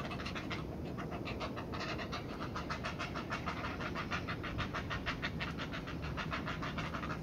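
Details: Heron chicks at the nest beg noisily while the mother feeds them, a fast, rhythmic clattering of harsh ticking notes, about three per second, over a steady low rumble.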